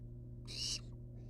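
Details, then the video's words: A single short, breathy hiss from wild barn owl nestlings outside their nest box, over a constant low hum. "Barn owl nestlings hang outside of box."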